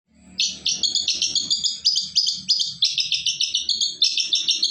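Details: Shrike song used as a lure to make other birds answer: a rapid, continuous run of sharp high chirps and harsh notes, about three per second, with a faint low hum underneath.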